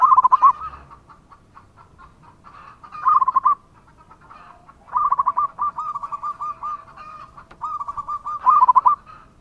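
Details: Zebra dove, local type, in lively song: clipped trilled coos come in groups roughly every three seconds. Later phrases run longer as a rolling, stuttering series of soft notes over a quiet background.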